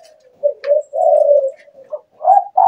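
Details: A captive Spotted Dove (tekukur) at night gives a soft, mid-pitched cooing phrase of several hollow notes, the last slightly rising and clipped, in a quiet room; its small, shrill, loud "mersik" voice is prized for luring wild birds.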